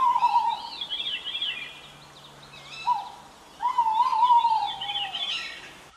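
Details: A tawny owl hears another tawny owl and answers it with a hollow hoot, a brief note, then a long quavering, wavering hoot, over faint background hiss.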